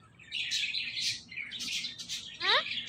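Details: Talking parrot producing rough, hissy high chirps in quick bursts with one short rising whistled note near the end.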